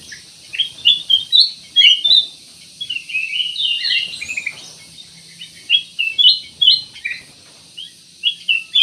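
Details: Black-crested bulbul with a lively twittering song, several bursts of high clustered notes and short rising chirps broken by pauses, plus faint low rumbling underneath.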